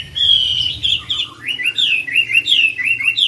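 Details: Chinese hwamei singing at a hwamei song contest in Mỹ Đình on 19 July 2020: a long, steady whistled note, then rapid slurred phrases that swoop up and down in quick succession, loud and clear with a faint low hum beneath.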